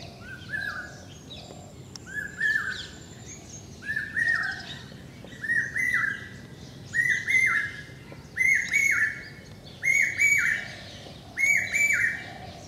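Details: Common hawk-cuckoo (brainfever bird) at Rajendra Nagar, Hyderabad, India, in May, repeating its loud, shrill three-note 'brain-fever' phrase, the series rising and growing louder; calls mostly in summer and monsoon breeding season.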